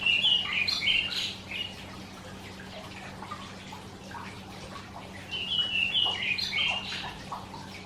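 Karoo Thrush giving two quick bursts of high, chirping, warbled notes about five seconds apart, with a few softer notes between and a faint low hum.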